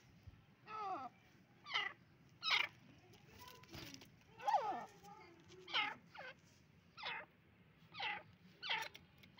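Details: Male Dakhni partridge (teeter) calling: loud, harsh, ringing notes repeated roughly once a second in a steady series, each a short burst with a downward-sliding tail, over a low background hum.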